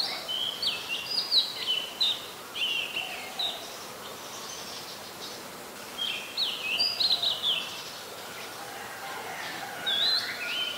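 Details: High, sharp tailorbird chirps from an adult Common Tailorbird in Ubon Ratchathani, Thailand, recorded 2 March 2023. Two bouts of quick, bright notes come in irregular clusters, split by a few seconds of quieter hiss.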